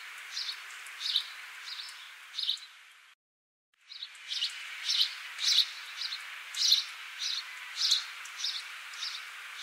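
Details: Repeated sharp, high chirps from a house sparrow (Passer domesticus, Sittu Kuruvi), coming in an uneven rhythm roughly every half second to second, broken by a short dropout to silence near the start.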